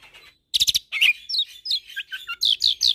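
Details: Asian pied starling tutoring recording mixed with Nias myna and Nias x pied starling hybrid song: a burst of rapid buzzy notes, then varied high whistles and short sliding chirps in quick succession.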